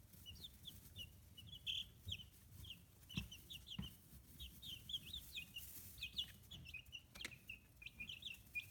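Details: High chirping of 15-day-old free-range chicks in Kitahiroshima, Hiroshima Prefecture, Japan, young birds growing feathers; many overlapping short peeps throughout, some louder bursts, with a few sharp taps or knocks and low background rumble.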